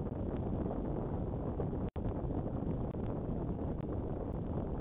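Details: Steady low, rumbling wind buffeting the microphone with a brief dropout near two seconds and no animal calls.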